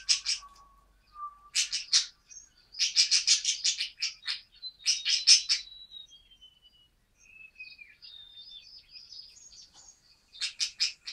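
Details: A newly arrived, very active male budgie in an indoor flock on its first day at a new home, December 2013, gives bursts of harsh buzzy pulses alternating with thin rising and falling whistles, then a final buzzy series.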